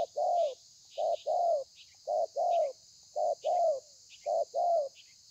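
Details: Spotted dove, thổ pha cooing style with lèo and dặm variations, recorded 30/11/2020; evenly repeated pairs of a short coo then a longer falling coo, roughly once a second, with faint high chirps behind.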